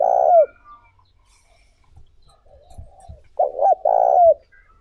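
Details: Spotted dove call meant to lure other doves, with a long falling coo at the start, a pause with soft faint murmurs, then a short paired coo followed by a sustained note ending in a downward slur.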